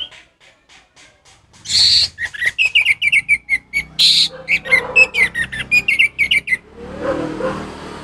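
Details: Orange-headed thrush singing 'ngeplong' style, played to teach captive birds that will not sing: after faint opening notes, a burst of rapid, loud, clear whistles and twittering phrases with a couple of harsh rasps, fading into low background noise.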